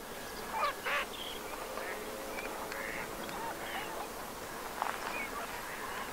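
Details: Glossy ibis in winter, 27 January 2022, Aiguamolls Natural Park, Catalonia: two short, harsh, nasal grunting calls close together, then steady hiss and scattered faint calls from other birds.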